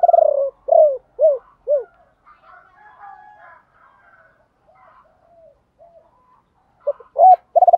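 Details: Decoy spotted dove calling in ba hậu style to lure wild birds: four low arched coos in a row, a long stretch of faint murmuring, then loud coos and the start of a rolled phrase.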